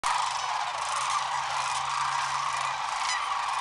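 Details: Large group of sandhill cranes lifting off in the morning along the Platte River at Rowe Sanctuary, Nebraska: a dense, continuous roar of overlapping rolling, trumpeting calls, recorded on a point-and-shoot camera.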